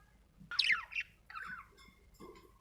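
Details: Budgerigar giving a few short chirps: one sharp, falling squeaky note followed by two softer warbled chirps, then quiet with faint background hum.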